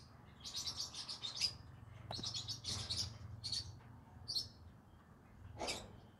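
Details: Green-cheeked conure kept as a pet, evening: scattered scratchy chirps and short squeaks at moderate distance over a low background hum.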